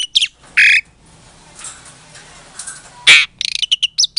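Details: Captive-bred Asian pied starling from Klaten, Indonesia, in a provoking lure song: two rough squawking bursts, a low hiss, one loud harsh screech, then a rapid stutter of short chattering notes.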